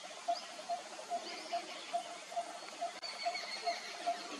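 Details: A Malabar barbet at Chandgad, Maharashtra, India, in the Western Ghats, March 2022, gives a steady series of short, hollow, mid-pitched notes, about two or three a second, over faint other birds and insect hiss.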